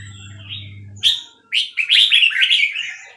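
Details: Red-whiskered bulbul, Burmese type, recorded at Dan Singkhon: a fast, lively phrase of sharp whistled and warbling notes that starts abruptly after a brief low hum.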